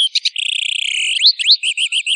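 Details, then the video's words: Long Tail bird training master: a fast buzzy trill, then two sharp upslurred whistles and a row of short rising-falling chirps, all high-pitched and clean. "Suara Masteran Burung Long Tail"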